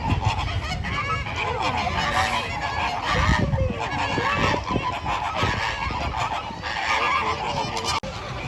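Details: Many flamingos honk together, the loud nasal, goose-like calls overlapping into a steady clamour, with some clearer swooping notes standing out partway through.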